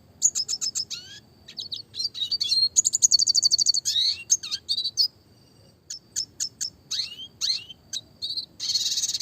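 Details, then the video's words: A red siskin sings a clear, fast, high twittering song of varied chirps, quick rattling trills and short buzzy phrases, with no other clear sounds. "burung red siskin klasik gacor suara jernih"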